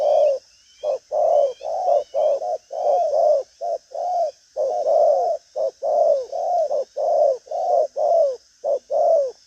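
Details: Vietnamese cage-kept spotted dove in lively cooing display, a long run of low rounded coo notes in quick uneven bursts, short and long notes mixed, with small bird chirps faintly above and steady background hiss.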